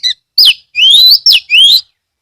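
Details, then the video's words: Loud lure song of an Oriental magpie-robin (kacer) from Kebumen, Central Java, played to get other magpie-robins singing; sweet rising whistles alternate with sharp downward slurs, four phrases in quick succession. "pancingan kacer gacor"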